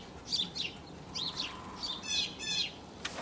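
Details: Dark-eyed junco giving a quick series of short, high chirping notes, some sliding down in pitch, in about six bursts over three seconds, ending with a sharp click; faint background hiss.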